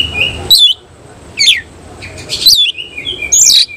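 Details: Oriental magpie-robin of the Cililin type, caged, tail spread; scattered short high whistles and steep sweeps about once a second, with quiet stretches between.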